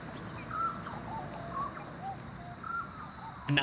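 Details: Grey Butcherbird singing at Oxley Creek Common, Brisbane, Australia, on a morning walk: soft, clear piped whistles, short notes every half second or so at a middle pitch, over low outdoor rumble and faint voices.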